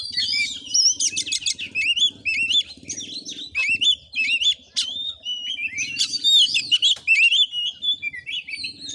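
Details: Oriental magpie-robin singing aggressively in a fighting display, Padang Gading village, Bengkulu, Indonesia. A long, energetic run of sweet whistles, sharp upslurred notes and scratchy buzzy bursts, with a faint low hum behind.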